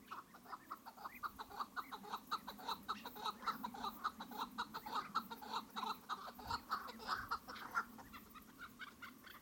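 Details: Long rhythmic run of chukar partridge clucks, short mid-pitched chuck notes repeated rapidly and evenly, swelling and easing in loudness, with a faint low hum beneath.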